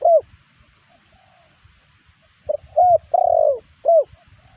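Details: Spotted dove call played as a lure to draw answers from wild spotted doves. Clear, low, mellow coos: one short coo, a long pause, then a quick series of three coos, a longer drawn-out coo, and a final coo.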